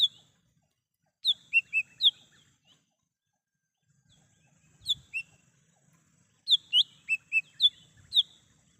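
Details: Lesser green leafbird singing in the wild, suitable for luring birds: short phrases of clear, sharp whistled notes in quick groups of three to six, separated by silent pauses, with faint low rumble.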